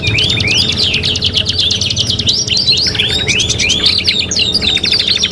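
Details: Kenari (canary) song for training: a series of rising whistled slurs and quick chip trills, high-pitched and continuous, ending in a fast buzzy rattle.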